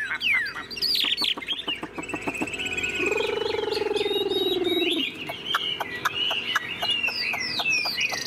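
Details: Caged Chinese hwamei, tame and singing with fanned tail, in high 'ngũ trường' style: quick sliding whistles and clipped notes, with a steady low croaking, frog-like buzz lasting about two seconds mid-passage.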